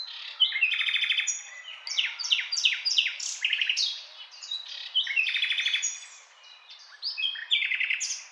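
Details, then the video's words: Common nightingale singing a rich, varied song of rapid rattling trills, chopped repeated notes and sharp whistles, with hardly a pause between phrases. "Nightingale Sound"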